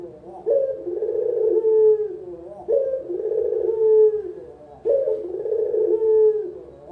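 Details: A local Barbary dove coo used as a lure and training recording for beginners: a low, rolling coo repeated about every two seconds, each phrase swelling then ending in a drawn-out note; no other sounds.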